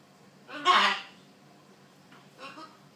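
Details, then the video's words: A talking macaw gives a loud, harsh, raspy vocal burst lasting about half a second, then a softer, shorter utterance near the end. "Talking macaw parrot"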